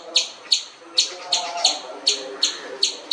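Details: Seven sisters, the jungle babbler: harsh, abrupt notes spaced about a third of a second apart, each loud then fading, with soft lower sounds in between.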